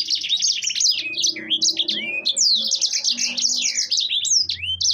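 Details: Long, unbroken warble from a yellow-fronted canary singing gacor: rapid high twittering, buzzy trilled bursts and swooping downward slurs stream continuously, with a faint low hum near the end.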